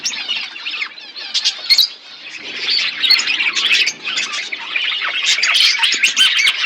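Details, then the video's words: Many budgerigars chirp and squawk together while eating, a busy continuous chatter that grows denser toward the end. "Beautiful budgies flocks birds eating food birds chirping sounds"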